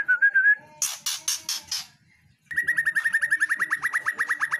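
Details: ['Female White-rumped shama giving a short wavering whistle, then a burst of harsh broadband rattles. After a brief silence comes a long, fast, steady series of identical whistled notes, about six per second.']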